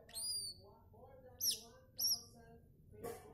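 A newborn Buff-banded Rail chick gives thin, very high peeps in three short bursts, about half a second apart, ending with a soft scuffing noise.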